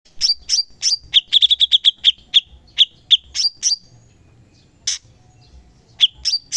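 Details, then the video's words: Cucak cungkok bulbul in a training recording for songbirds, delivering sharp, piercing 'shot' notes: short, loud, clipped whistles, some in quick bursts of six or seven, separated by brief pauses, over a quiet background. "CUCAK CUNGKOK FULL TEMBAKAN PEDAS"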